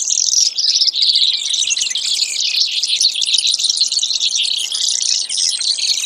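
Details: Brewer's sparrow pouring out an unbroken, high, rattling trill, loud and steady across the whole recording.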